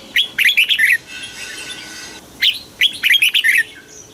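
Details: Red-whiskered bulbul from Thailand, a southern master-style song used to excite caged birds: short bubbly phrases of quick, tumbling whistled notes in two bursts, with a brief hissing noise between them.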